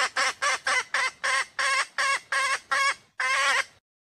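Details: Wild female red junglefowl calling: a quick run of about nine harsh, nasal clucks, each with rich harmonics and spaced roughly a third of a second apart, ending in one longer drawn-out squawk; no other sounds.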